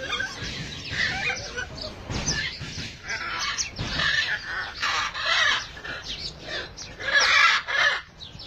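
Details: Hyacinth macaws at play give harsh, grating squawks and gravelly chatter in uneven bursts, with louder screeches near the end and some low bumping underneath.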